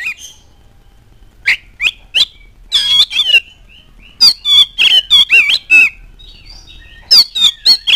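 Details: Oriental magpie-robin singing to provoke other birds: loud rasping, scratchy phrases and sharp chirps delivered in fast clusters, with thin high whistles filling quieter gaps.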